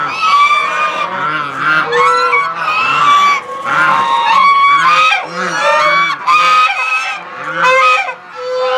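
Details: A large flock of domestic Chinese geese surrounding the listener at close range in a zoo's goose square in April gives loud, continuous honking, many nasal calls overlapping into a noisy chorus.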